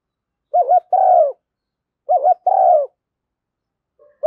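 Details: Spotted dove decoy coo, a female voice used to make decoy doves call quickly: two deep, mellow phrases, each a wavering short note and then a longer burry coo, about 1.5 seconds apart, with another phrase starting at the end.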